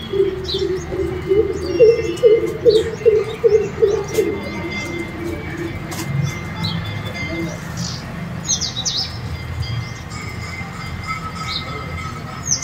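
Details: A greater coucal singing at a house gallery in India gives a deep, hollow run of about nine booming notes, roughly two a second, over four seconds; thin chirps of other small birds follow.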